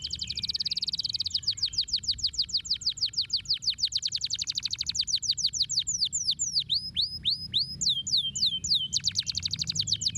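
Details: Canary song offered to stimulate lazy canaries to sing: fast trilled series of high repeated notes, shifting into slower down-slurred whistled syllables near the middle, then rapid trills again; low background hum throughout.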